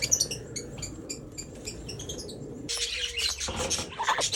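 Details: Pink cockatoos, Major Mitchell's cockatoos in an aviary, repeating short high chirps at a steady pace, then a denser burst of harsh overlapping squawks over a low rumble.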